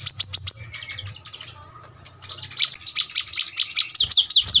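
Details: Brown-throated sunbird, 'tembakan rapat' tutor song for birds at home: a few quick high chips, a scratchy twittering stretch, a quieter pause with low hum, then a rising run of rapid, shrill repeated notes.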